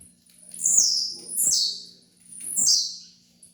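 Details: Blue-black grassquit (tiziu) singing for training use: three quick buzzy phrases, each a high squeaky note dropping steeply in pitch, delivered in close succession over a soft background hum.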